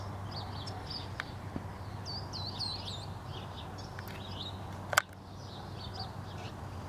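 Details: Verdins, a pair in a Palo Verde tree in a front yard in Phoenix, Arizona, on a February 7, 2014 morning: high, curved chip notes in loose bursts, with a sharp knock midway and steady low background hum.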